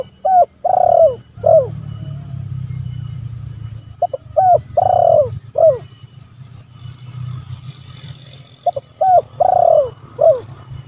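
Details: Spotted dove calling rivals, used to lure and to train other doves: three phrases about four seconds apart, each short notes, a long throbbing coo and a falling note, over a low rumbling hum and regular high ticks.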